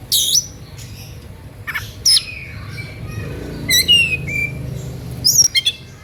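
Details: Excited Oriental magpie-robin song used to goad rivals into answering: scattered bright whistled notes, down-slurred sweeps and a short buzzy trill, separated by pauses, with steady low hum behind.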